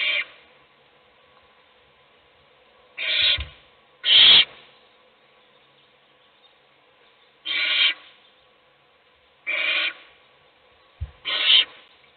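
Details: Inside a nest box an owl mother feeds one chick while its siblings doze; a series of six short, raspy hissing bursts spread over twelve seconds, some in quick pairs, with occasional soft bumps.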